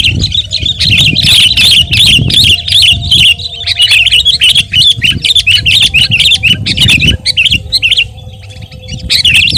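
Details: Sooty-headed bulbul (kutilang) in vigorous song, offered as training and lure audio for cage birds; dense, rapid, shrill chattering notes pour out almost without pause and overlap like several birds together, over low rumbling background noise and a faint steady hum.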